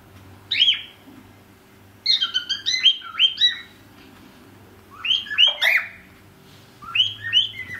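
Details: A kept cockatiel (Nymphicus hollandicus), one of a pair, sings bursts of bright, rising whistles with short pauses between phrases.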